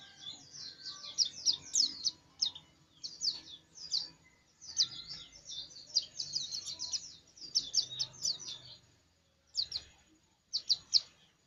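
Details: Eager white-eye song: long bursts of rapid, high, jumbled twittering chirps broken by brief pauses, with steady low background hum and noise throughout.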